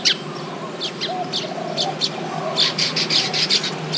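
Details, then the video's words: Baya weaver during nesting in a tropical setting, with scattered sharp chirps followed by a steady series of loud buzzy notes, about four per second. "The Baya Weaver’s Amazing Nests | Tropical Birdlife Sounds"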